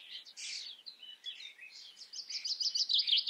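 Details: Common starling in the Eifel, singing close and loud: wheezy, slurred warbles give way to a rapid run of sharp, bright, squeaky notes that grows louder toward the end.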